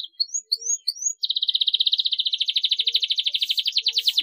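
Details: Canary chirping played as a lure to get young canaries singing: a few quick rising whistled upslurs, then a long, fast, even buzzy trill repeated about three times per second to the end.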